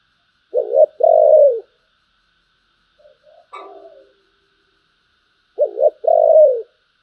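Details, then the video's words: Spotted dove with a deep "thổ" style voice, cooing in two phrases: a short doubled coo followed by a longer rough, slightly falling note, repeated about five seconds later, with a faint brief sound in between. "cu gáy giọng thổ, Bầu nghe rất hay"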